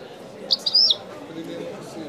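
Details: European goldfinch singing in the authentic widani style: a brief burst of high, bright twittering notes with sharp slurred whistles lasting under half a second, over a faint murmur of voices in the background.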